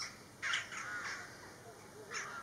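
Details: Rook in snowy winter, its call rendered as "ga ga": a harsh caw near the start, a fainter follow-up, then another hoarse caw near the end, over a steady background hiss.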